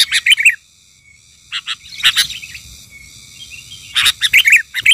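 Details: Raging sooty-headed bulbul lure bird gives rapid, harsh chirping bursts, then a short pause broken by a few scattered notes, then another quick run of chirps, over a steady faint high hiss.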